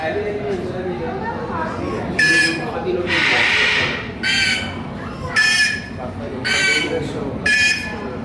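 A plush-crested jay gives six harsh, buzzy calls, about one each second, one drawn out longer than the rest, over a low background rumble.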